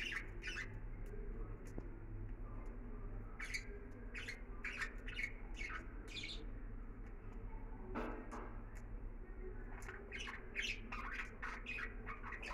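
Budgerigars give short, scratchy squawks and chirps in quick irregular bursts over a steady low hum.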